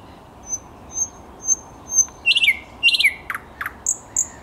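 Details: A thrush nightingale sings on 10 May 2021, opening with four soft, evenly spaced high pure whistles, then clicking bursts, sharp downward strokes and a high drawn-out whistle.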